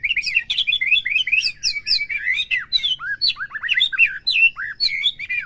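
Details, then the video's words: Song of a white-rumped shama, played to rouse a captive bird: dense chatter of sharp clicks and whistled upslurs, then a string of clear, swooping whistled notes. "PERANGSANG EMOSI MURAI BATU AGAR CEPET IKUT BONGKAR,PUTAR PAGI SIANG SIRE"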